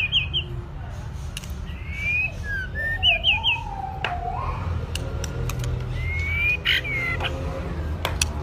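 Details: White-rumped shama in training to sing. Varied whistled song mixes short rapid trills, clear rising and falling whistles and lower sliding notes in quick succession. A steady low hum sits underneath.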